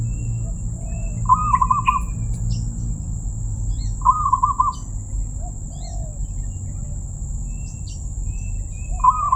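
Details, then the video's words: Zebra dove with a voice described as crystal-clear, giving three short bubbly trilled coo phrases about every three seconds, with faint soft chirps, a steady high whine and low rumbling background. "perkutut suara keristal"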